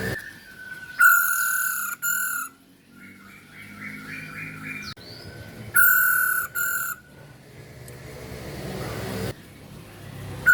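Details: Song of a female Chinese hwamei, locally called poho: harsh, steady whistles held about a second each, split by brief breaks. A soft sequence of repeated short upslurred notes follows, with quiet background hiss.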